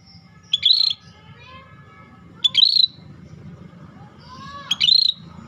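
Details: Scaly-breasted bulbul in vigorous song. Three short, high, sharp whistled phrases come about two seconds apart, mixed with softer sliding tones and a low background hum.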